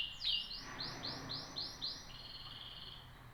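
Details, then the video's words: Singing canary delivering a quick run of high arched whistled notes, about four per second, ending in a level sustained trill, with faint low hum in the background. "طيور الكناري"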